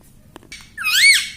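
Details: Talking pet parrot: a single loud, clear, arched syllable rising and falling, preceded by a faint soft click.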